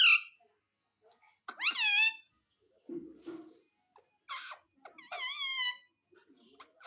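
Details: Parrot kept as a pet, uttering a short sharp note, then two drawn-out upslurred nasal calls separated by quieter low murmurs and a noisy rasping burst.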